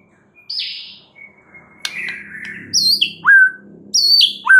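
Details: White-rumped shama lure song to provoke other birds: a high buzzy note and a sustained whistle over a low background hum, then crisp three-note descending whistled phrases repeated twice.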